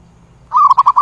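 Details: Zebra dove giving a flock-gathering call, starting with a drawn-out coo and breaking into a rapid run of short, clipped coos at the same pitch.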